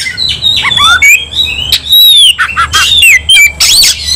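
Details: A White-rumped shama (kacer) sings fiercely while fighting, giving clear whistled notes that sweep up and down between scratchy, buzzy bursts and sharp clicks.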